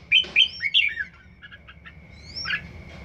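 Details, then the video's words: One-season-old red-whiskered bulbul practising song: a quick burst of four bright, bubbling whistled notes, then quieter short chips and one soft phrase, against a faint steady background tone. "Chào mào hót siêu hay"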